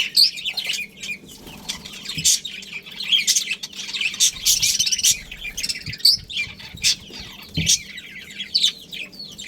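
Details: Budgie breeding pair and family colony in steady chatter, a continuous mix of high tweets, rasping warbles and brief whistles rising and falling in loudness.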